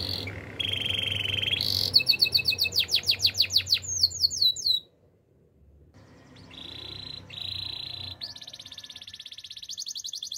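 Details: Canary training song: rolling trills and fast chopped notes, a short descending sweep run, near silence for about a second, then steady ringing trills resume.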